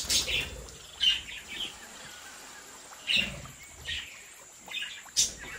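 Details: Captive budgerigars in a home breeding colony chirp in spaced, sharp bursts, roughly one every second or two, separated by quieter hissy gaps.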